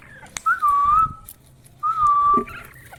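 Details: Ringneck parrot producing two clear, steady whistled notes, each about half a second long, separated by a short pause, over a quiet indoor background.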